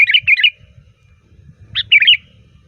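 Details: Loud, varied sooty-headed bulbul song used as a lure: a quick string of bubbly whistled notes, a pause, then a second liquid phrase, with soft low rumbling underneath.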